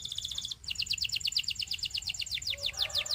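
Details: Canary singing: a brief thin phrase, a short pause, then a fast run of high, evenly repeated notes, bright and rolling, with faint background hiss throughout.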